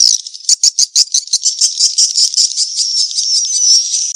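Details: Swiftlet lure call of the 'kejar kawin' mating-chase kind: a few sharp pulsed chirps, then a continuous high buzzing twitter with faint thin whistles near the end.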